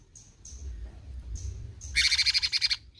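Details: Thin, high whistled notes come from a cucak cungkok bulbul, followed by a loud burst of rapid, buzzy besetan chatter lasting under a second.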